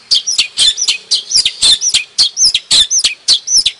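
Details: Long-tailed shrike of the Madura type from Indonesia, singing a fast, loud run of sharp chirps and up-slurred whistled notes, about twelve notes per second-long burst, repeated with little pause and no other sounds.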